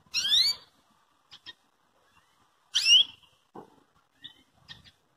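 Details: Belgian canary giving its call to provoke and train a canary to sing: two strong, bright descending tweets about two and a half seconds apart, with brief faint clicks and softer notes between.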